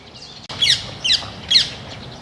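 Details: Rose-ringed parakeet (Kramer's parakeet), an introduced species in Europe and a noisy bird, giving three loud, harsh, screeching squawks about half a second apart, high-pitched and grating, over quiet background hiss.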